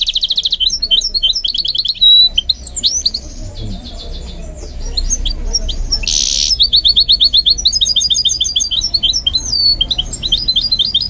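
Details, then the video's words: A goldfinch mule trained to sing delivers a long varied high-pitched warble: rapid trills, sweeping whistles, a harsh buzzy burst midway, then dense repeated twitters. "What I Learned from Training My GOLDFINCH Mule to Sing"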